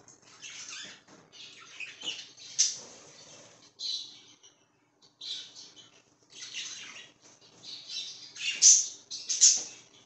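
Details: Pet budgerigar chirping in bursts of high, scratchy warbles and short squawky notes, with brief pauses between phrases and a couple of sharp peaks near the end.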